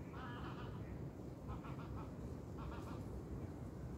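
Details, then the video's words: Geese give nasal honking calls in three short bursts over four seconds, half-buried under a steady low rush of wind in reeds by a calm autumn lake shore. "Sounds of Geese"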